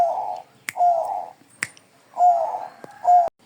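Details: Bangkok-type zebra dove singing excitedly: low, burry, rolling coo phrases of half a second to a second, separated by short gaps, with several sharp clicks or snaps between phrases in a small indoor space.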